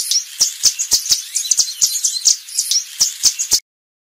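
Yellow Warbler song: a quick run of bright, high, sweet chips and slurred notes, about four per second, ending abruptly after three and a half seconds.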